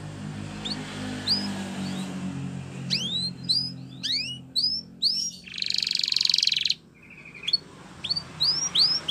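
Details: Spanish Timbrado canary training song in broken phrases: scattered high downward-curving whistles, a dense metallic buzzing roll lasting over a second, then more spaced swooping notes over a faint low hum.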